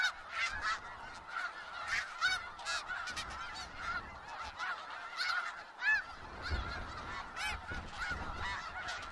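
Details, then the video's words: Many snow geese at Skagit Valley produce a thick, unbroken clamour of high nasal yelps, with frequent louder honks popping out of the crowd noise. "Sounds of Snow Geese"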